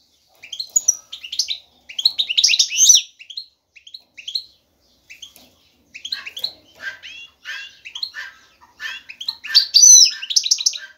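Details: Male European goldfinch singing to lure a female for mating; bursts of high chirps and twitters, a quieter stretch, then busier, louder twittering toward the end.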